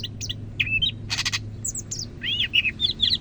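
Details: Greater green leafbird from Medan, North Sumatra, a caged songbird singing: quick high chirps, a short harsh rasp, then arched whistled slurs, with low hum behind.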